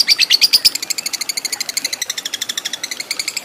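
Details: Lovebird giving ngekek chatter for training fighter birds; a rapid, rattling stream of high, piercing notes, several per second, opening with brighter squeaks then settling into an even trill.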